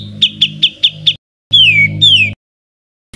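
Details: Bird song from a compilation of rough 'tembakan kasar' tutor calls for training cage birds such as Greater Green Leafbird and White-rumped Shama: five quick high notes, then two long whistled notes sliding downward, with faint low hum beneath.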